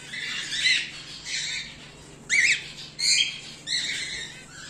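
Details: Captive home-bred cockatiel, of whiteface emerald, emerald or exhibition grey male type, giving loud arched squawks that sweep up and down, three sharp calls near the end standing out over quieter overlapping chatter and a low hum.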